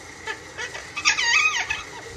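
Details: Young pet great-billed parrot repeatedly mimicking the word "Allah": one short, voice-like word in a nasal tone that rises and falls, among a few faint squeaks in a quiet room.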